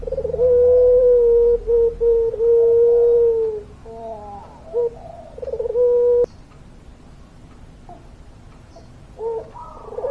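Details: Puter pelung dove with a long-drawn coo: a sustained, level tone broken by brief dips, then rippling gurgles, another held note and a sharp click, followed by quieter soft coos.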